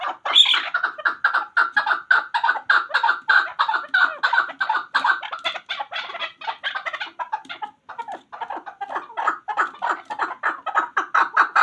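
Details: Long, even train of raspy clucks from a hunter chakor (chukar partridge), dozens of short notes delivered quickly, with one brief gap before the chattering series picks up again.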